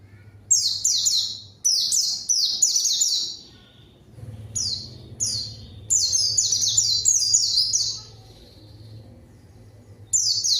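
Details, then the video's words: White-eye in lively full song, used as a lure to call a rival and get silent birds singing: bursts of very high, quick, down-slurred chirps strung together, broken by pauses of one to two seconds, over a faint low hum. "PANCINGAN PLECI GACOR MANGGIL LAWAN COCOK UNTUK PLECI DIAM AGAR CEPAT BUNYI DAN GACOR"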